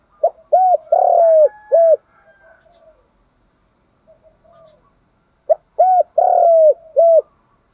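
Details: A spotted dove, kept as a decoy bird, gives its morning call: a soft, hooting coo phrase twice, low and rounded with a longer middle note.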